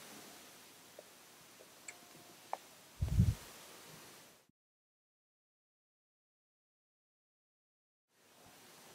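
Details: Faint indoor room hiss with a few soft clicks and a brief low thump, followed by several seconds of complete silence before the hiss returns.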